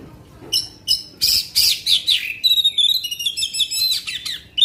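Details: Black-winged magpie-robin pouring out long bursts to excite other magpie-robins: sharp separated notes build into a fast, continuous stream of high whistles and trills with varied pitch.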